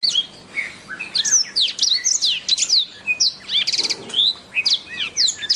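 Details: A black-throated canary (Crithagra atrogularis) sings a fast, unbroken run of high, twittering notes with quick upward and downward slurs and a short buzzy rattle partway through.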